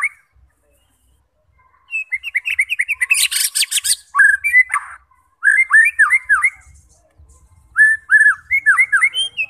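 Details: White-rumped shama singing to provoke fighting birds: varied phrases of quick slurred whistles and chips, a harsh burst mid-phrase, repeated in bouts separated by short pauses.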